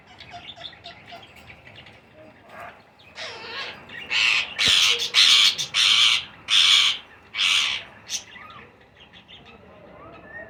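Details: Young green ringneck parakeets begging at feeding time, starting with soft scattered chirps, then a run of loud, harsh, grating squawks about every 0.7 seconds, trailing off to quiet chatter.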